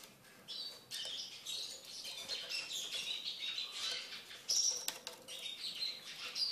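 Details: Eurasian siskin in a cage during taming, singing a rapid high twitter with bright squeaky notes and a sharp whistled accent near the middle, over faint background hiss.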